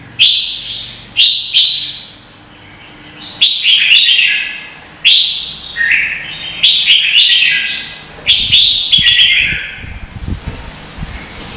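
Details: Red-whiskered bulbul singing in contest, Vietnam, decoy song for training birds: sharp-onset chirpy warbles repeated in quick groups, some phrases sliding downward, ending in a hiss of faint noise.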